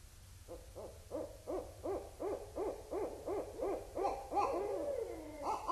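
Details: Wild Barred Owls calling at Indian Cave in autumn 2012: a rapid run of about fifteen arched, hooting notes, rising then falling, accelerating into a louder, wavering cackling climax near the end.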